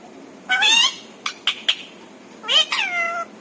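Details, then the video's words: Pet parrot talking, said to speak words such as papa, mummy and Radhe Radhe; two short nasal voiced phrases with three quick clipped syllables between them, in a quiet room. "मिट्ठू की प्यारी बातें"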